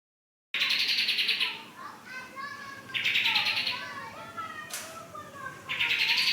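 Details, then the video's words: Pied triller after a month of care, singing in dense rattling trilled bursts about one to one and a half seconds long, repeated every few seconds, with softer wavering warbled notes and faint background chatter between bursts. "kicauan kapas tembak"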